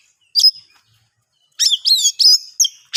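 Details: Oriental magpie-robin singing, a recording meant to draw quiet birds into song: one sharp high note, a gap, then a dense string of harsh, sweeping, slurred phrases.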